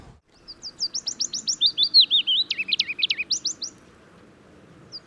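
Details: Willow warbler singing at Gibraltar Point, Lincolnshire; a sweet, liquid phrase of whistled notes descending gradually in pitch over about three seconds, then a pause and a faint start of another phrase.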